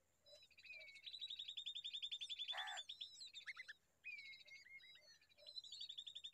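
Common babbler chicks give fast, high, chattering trills, several birds overlapping in rapid runs of notes, broken by a brief harsh rasp partway through.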